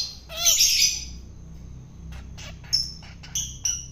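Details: Wild-caught long-tailed shrike being hand-fed to tame it: one loud, harsh, rasping burst, then several short, thin, high whistled notes spaced apart.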